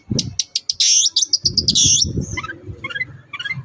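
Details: Long-tailed shrike, kept as a cage bird, singing a lure song meant to get reluctant shrikes singing: high sharp chirps and a loud slurred whistle, then softer clustered notes over low background rumble.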